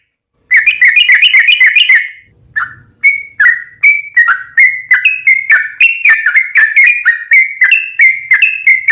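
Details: Sooty-headed bulbul song serving as a lure to set other bulbuls singing: an opening fast trill, then a long run of bright, slurred whistles repeated about every third of a second.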